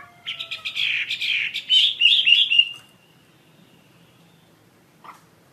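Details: Chinese hwamei giving a burst of fast, jumbled warbling notes for about two seconds, ending in a fading thin whistle, followed by quiet and one faint note.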